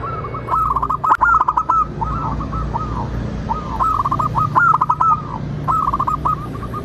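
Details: Local zebra dove lure song to make other zebra doves sing and answer: lively runs of quick bubbling coos with a few spaced single notes between, a sharp crack or two and a low hum in the background.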